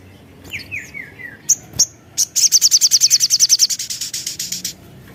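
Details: Javan tesia singing actively as a lure for other birds: a descending series of whistled slurs, a couple of sharp high notes, then a long fast trill of bright notes tapering off.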